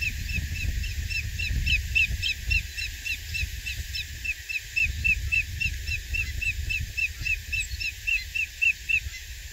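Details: Greater Yellowlegs calling on 23 April 2021 at Coquille Valley Wildlife Area, Coos County, Oregon: a long run of clear, ringing whistled notes, about four per second, over low wind rumble.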